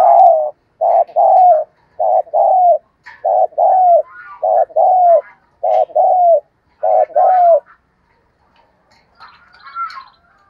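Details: Spotted dove giving a call meant to lure and excite other doves to coo: about seven rhythmic pairs of low, mellow coos, the second note of each pair drawn out and falling, followed by faint higher chirps and then quiet.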